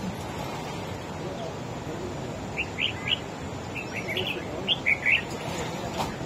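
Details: Wild-caught red-whiskered bulbul in a singing contest with another bird: after a quiet start, a series of short, clear whistled notes arrive in quick pairs and triplets over constant background hiss.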